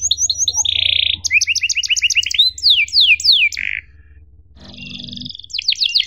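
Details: Tutor song for young canaries: a short trill, a harsh buzzy burst, rising series of chirps and fast down-slurs, a brief pause with a low buzz, then more high sweeps over a faint hum.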